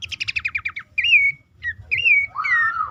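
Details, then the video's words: Pelanduk semak, a bush warbler, in a lure call used to coax caged birds to sing, best played at dawn or night: a quick rattled trill, then clear whistled slurs and a long descending whistle. "pelanduk semak ngecall pancingan ampuh burung bahan,macet,stress,susah bunyi agar cepat ngeplong."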